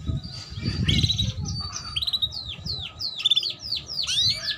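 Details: Female canary chirping to stimulate young birds to sing and to raise breeding drive. A lively run of high, sharply down-slurred chirps follows one another quickly, with brief rattled notes, over faint low hum.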